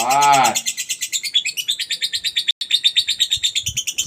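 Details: Lovebird in gacor ngekek style: a brief lower harmonic squawk opens, then fast high chattering pulses run on, briefly cut out midway, and resume.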